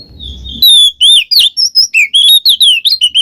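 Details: Oriental magpie-robin song in the 'ngeplong ngekek' style, a lure for a bird that will not sing. Low rumbling noise gives way to a long whistle, then a brisk run of sharp, varied whistled notes, about four per second.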